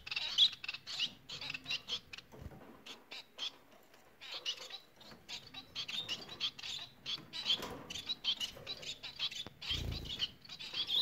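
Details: Bengalese finches singing: dense runs of short, high chattering and buzzy notes in quick bursts, with brief pauses and a soft low thump near the middle.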